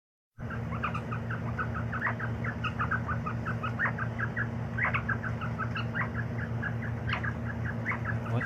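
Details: Quail readied for fighting, recorded in 2020: rapid short chirping notes repeated densely throughout, several overlapping, over a steady loud low mechanical hum.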